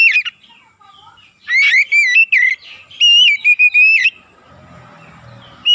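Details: Oriental magpie-robin (kacer) in 'gacor' lure song. After a short opening note and a quiet gap, a busy run of sliding whistles and quick notes, then a faint noisy rustle and a final whistle.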